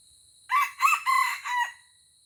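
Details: A red junglefowl from Aceh, Indonesia, crows during a fight with a decoy rooster. The crow is brief and four-part, hoarse and rasping, and ends on a falling note, with a thin constant insect whine behind it.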